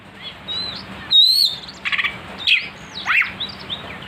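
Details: Kacer, the oriental magpie-robin, in a lure recording meant to provoke aggressive singing: a short mix of thin whistles, a high sweeping note, buzzy rattled notes and a downward slurred phrase over a low background hum.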